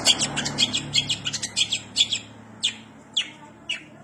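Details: Long-tailed shrike (cendet) singing in a lively, vigorous way, mimicking house sparrow calls: rapid series of sharp, high chirps, then spaced single downslurred chip notes about every half second.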